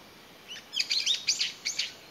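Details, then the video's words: Brown-eared Bulbul alone, calling for its family in May 2021: a short burst of high, harsh, chattering squeals in quick succession, fairly soft against a quiet background. "仲間を探して鳴くヒヨドリ Brown-eared Bulbul"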